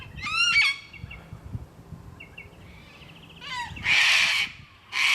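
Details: Sulphur-crested Cockatoo in a suburban park in Adelaide, South Australia, showing crazy antics. Harmonic squawks open the clip, then quiet, then two harsh, broadband screeches near the end, one long and one cut short.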